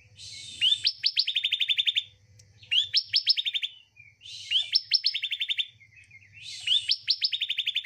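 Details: Bar-winged prinia song, used to spur quiet caged birds into singing, repeats a bright phrase about every two seconds: a hissy buzz, then a run of sharp, high rising notes, over a faint low hum.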